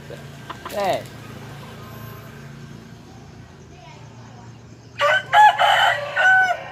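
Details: Tame ornamental junglefowl cross, a hen with junglefowl blood and a bantam-Serama cross father, noted as a diligent crower, playing on a person's hand. A brief squawk early, a quiet stretch with a low hum, then a loud, harsh, multi-part crow in the final two seconds.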